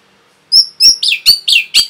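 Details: Short burst of rapid Orange-headed thrush song, used to provoke other birds: six loud, high notes in quick succession, the first two clear whistles and the rest rougher, down-slurred phrases.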